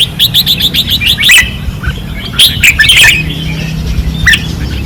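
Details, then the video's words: Caged red-whiskered bulbuls singing fiercely on a training perch in Pattani: a quick run of sharp repeated chirps opens, then overlapping warbled, bubbling phrases, with a steady low hum underneath. "เสียงนกกรงหัวจุก ราวซ้อม ร้องอย่างดุเดือด"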